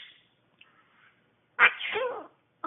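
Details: Pet bird producing a mimicked sneeze, an 'achoo': one loud, harsh, noisy burst lasting about half a second. A faint sound comes just before it, and a short sharp noise follows at the end.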